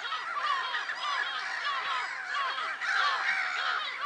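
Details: Crowd of black-headed gulls at Lake Sarymsak in Kazakhstan's Pavlodar region, recorded 10 April 2011: raucous overlapping calls throughout, plus a lower run of short repeated arching notes underneath.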